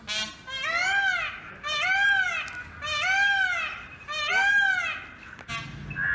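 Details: Indian peafowl calling: four loud, drawn-out wailing cries, each arching up then down and lasting about a second, repeated roughly once a second, with a short click and a faint higher note at the end.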